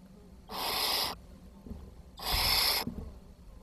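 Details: Barn owl nestlings, 10 June 2023, competing for scarce food in a brood of uneven ages. Two loud, breathy hissing screeches, each lasting over half a second, with quiet rustling in the pause.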